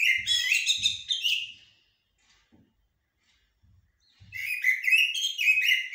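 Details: Common blackbird, locally called jahmumiya or shahrour, singing in haddadia and military styles: two warbled fluty phrases ending in high squeaky twitters, separated by about two seconds of quiet, with soft low knocks.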